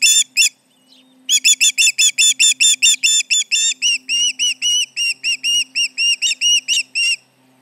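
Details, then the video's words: Charlo nest osprey, July 29, 2019, 11:30am MDT, alarmed by intruders: two shrill notes, a brief pause, then a long fast chain of whistled chirps that softens a little before stopping. "Intruders around, 7/29/19 - Charlo osprey nest"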